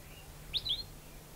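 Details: An endangered palila in the subalpine forest of Mauna Kea, Hawai'i, gives one quick, high, two-part chirp: a sharp rising note slurring into a brief whistle, over a faint steady hiss.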